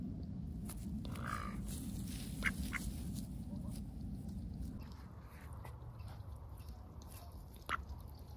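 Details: Ducks up close on an overcast day, lively as ever; occasional short nasal quacks rise above a dense low murmur, with a louder single call near the end.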